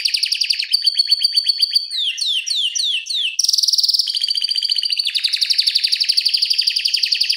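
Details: Canary tutor song with a long, tightly spaced rolling delivery for teaching other canaries: rapid high trills changing tour every second or two, descending swept notes, then a bright metallic rattle and a steady fast trill.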